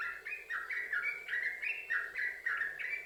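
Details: Yellow-vented bulbul pouring out rolling 'sambung ropel' song meant to trigger other bulbuls to sing; quick chattering notes, about three or four per second, stepping up and down.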